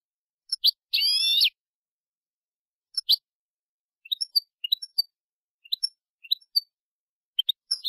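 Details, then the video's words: Málaga-style European goldfinch song, recorded 2022/2023 for tutoring young birds: an opening long nasal buzz, then sparse, sharp high chips and short twitters spaced through the rest. "Nuevo CD malagueño para educar jilgueros"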